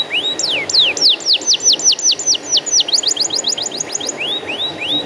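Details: Loud canary song for stimulating young, untrained canaries to sing: a run of steeply falling whistled notes, then quicker clipped notes, ending with three rising upslurs spaced about half a second apart.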